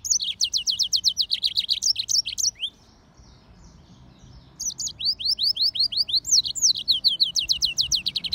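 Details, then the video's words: Hybrid of a yellow-fronted canary and a domestic canary: rapid rhythmic trills of sharp rising notes, a brief silence, then more repeated upslurred chirps. "طائر الياسمين هجين الموزمبيقي serin mozambique xCanary"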